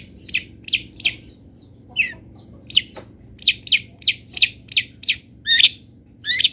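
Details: Local long-tailed shrike master song with a string of sharp, high, scratchy notes given in quick succession, a short pause, then a steady run of similar strident notes.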